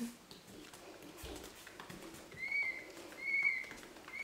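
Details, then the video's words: An incubator-hatched peafowl chick, the only survivor of its clutch, is imprinted on its human keeper and follows her, giving three thin, high, slightly drawn-out peeps about a second apart over faint shuffling and footsteps. "Peacock baby chasing after its Mum, wait for me Mummy"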